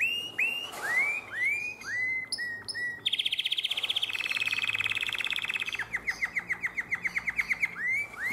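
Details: Domestic canary singing in the nightingale-voiced style, Drama, Greece, 2017: a row of upswept whistled notes, then a rapid high buzzing roll, ending in quick, evenly spaced pulsed notes with a few rising whistles.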